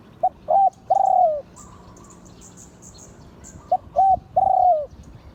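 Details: A spotted dove of an auspicious line crows in 'liu tan' style. It gives two full phrases of a clipped note, a rounder note and a long falling coo, with faint high chirps of small birds in between.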